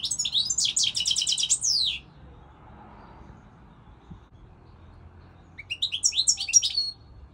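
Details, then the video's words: European goldfinch song: a quick rhythmic series of chattering notes for two seconds, a long silence, then a short phrase of rising twitters and whistles. "Singing Goldfinch, saka kusu تغريد الحسون الاروع هذا الموسم"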